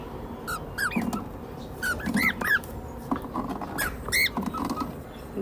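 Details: Pet cockatiels squabbling indoors: bright, bending chirps in quick bursts in a small room. The owner murmurs to them in Bengali, calling them naughty, and jokes that the male is complaining about the quarrel.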